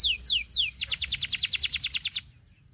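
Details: Belgian canary song: three descending whistled swoops, then a fast, regular trill of clipped high notes that ends abruptly.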